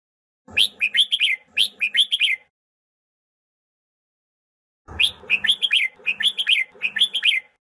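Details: Red-whiskered bulbul song used to train birds and provoke them into fighting song: two bursts of rapid, bright warbled phrases, each about two seconds long, separated by a silent gap of roughly two and a half seconds.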